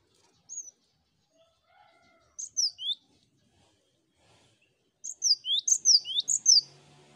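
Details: Cinereous tits heard together, recorded as a master track to get birds singing: a lone thin whistle, a brief pair of phrases, then a fast series of ringing, down-and-up whistled notes.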